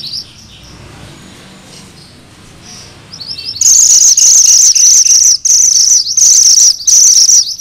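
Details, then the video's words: Sunda bush warbler, known locally as mantenan gunung merah, delivering the 'ngerol' rolling song kept as training material for magpie-robins: faint high twittering at first, then a loud, shrill, continuous trill broken into several bursts. "Suara MANTENAN GUNUNG MERAH GACOR"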